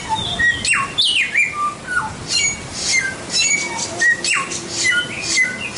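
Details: Continuous white-rumped shama song used for tutoring songbirds: rich whistles sweeping up and down, steady pure notes, and interspersed high squeaky chips and trills in quick succession.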